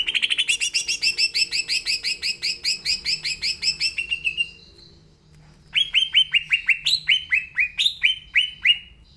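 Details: Green leafbird (cucak ijo) singing actively: a rapid string of clipped repeated notes for about four seconds, a short pause, then a phrase of loud downslurred whistles stepping up and down in pitch.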